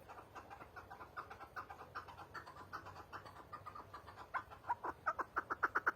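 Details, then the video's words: Chukar partridge calls rising out of a soft hum as a chuckling series, quiet and loose at first, then building into louder, faster, clipped notes by the finish. "Keklik Sesi"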